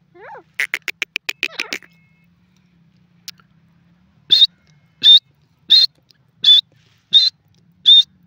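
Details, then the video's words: A grey francolin in the jungle starts with a quick series of sharp, chattering notes. After a pause it gives six loud, high, shrill notes spaced roughly 0.7 seconds apart. "jungli teeter ke voice,grey pheasant in ajungle awaz"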